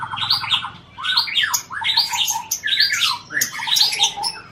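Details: Caged white-rumped shama from Aceh performing mimicry-filled song. Short bursts of mixed chattering, buzzy and whistled phrases repeat about once a second after a rapid opening trill. Faint low hum sits underneath.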